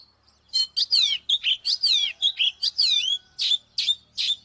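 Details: Oriental magpie-robin used as a fighting lure for a wild-caught bird: after a brief quiet start, a rapid, lively sequence of loud whistled phrases, falling slurs and sharp chirps runs to the end.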